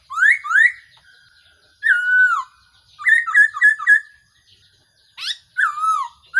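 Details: A trapping decoy call of the Black-throated laughingthrush: two rising whistles, then a long falling one, a stuttered four-note series, and more slurred whistles at the end.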